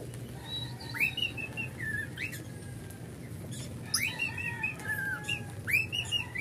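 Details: A pet cockatiel that is still practising its song sings clear whistled phrases with sharp upward sweeps and warbling notes over a low hum.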